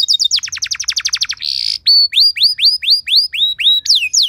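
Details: Canary training song with showy cengkok: a fast run of descending sweeps, a brief buzzy tone, then evenly spaced rising-and-falling whistled slurs about four per second.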